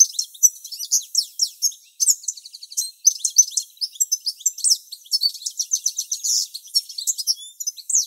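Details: Male European goldfinch singing a few tens of metres from the nest while the female incubates; a fast, continuous twittering of high, sharp chirps and buzzy trills, nearly unbroken over eight seconds.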